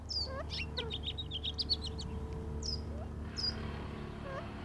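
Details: Quail pair drinking at an Arizona desert trail camera near Tucson give soft, short rising notes and quick high chirps in scattered bursts, over the steady low rumble of a wood chipper or airplane; quail.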